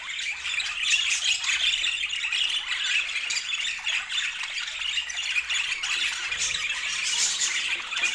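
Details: Budgerigars chattering together in a dense, continuous flock chorus of rapid warbles, chirps and squeaky trills, steady throughout with no pauses.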